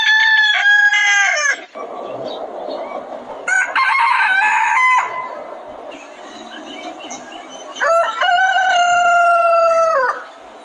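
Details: Several different roosters filmed on a chicken farm crowing in turn: three loud, long, strained crows, each holding a level tone before dropping at the end, with farmyard noise between them.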